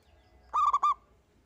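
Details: One local zebra dove singing as a lure: a single phrase of three rolling, rounded coo notes, the middle one shortest, lasting under half a second, against a low background.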